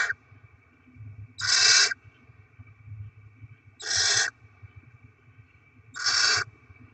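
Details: Barn owls at a nest during rodent deliveries and chick feeding, 7 February 2024: three loud harsh hissing screeches, each about half a second long, spaced roughly every two to two and a half seconds over a low background hum.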